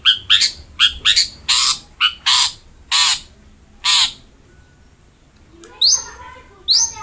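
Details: Long-tailed shrike, recorded as a training recording to prompt quiet shrikes to sing: loud, harsh rasping notes, first in quick pairs, then single spaced blasts, a pause, then a couple of squeaky chirps.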